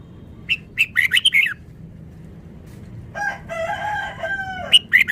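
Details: Red-whiskered bulbul, a Vietnamese bird, singing rapid phrases of bright chirping notes, followed by a long, lower, drawn-out harmonic call, then more quick chirps at the end.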